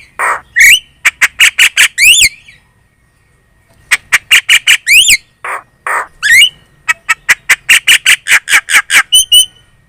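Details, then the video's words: Javan myna lure song to draw answers from other birds: fast bursts of harsh repeated squawks with rising buzzy slurs, separated by short silences. "PANCINGAN JALAK KEBO super gacor cerewet.di jamin burung kamu langsung nyaut"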